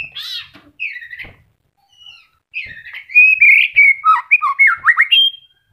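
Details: White-rumped shama singing through its moult as feathers start regrowing, offered as a lure for non-singing shamas: a harsh buzzy opening, scattered whistles, then a lively rapid sequence of varied looping notes.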